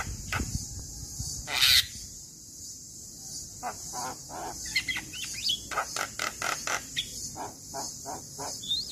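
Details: Male Javan myna song played as a lure to get other mynas singing, aimed at sluggish or molting birds: scattered harsh broadband notes and short whistles, picking up into a rapid burst in the second half, over a steady high insect hiss.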